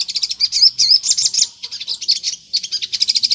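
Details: High, sharp sunbird chattering used as a lure so wild sunbirds answer, sung continuously: quick tinny notes about three or four a second with short slurred whistles, a gap near two and a half seconds, then more rapid notes.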